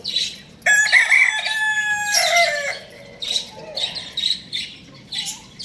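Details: A rooster crows loudly for over two seconds. The call is buzzy and harmonic, holds steady, then drops at the close. High chirps from other birds come before and after it.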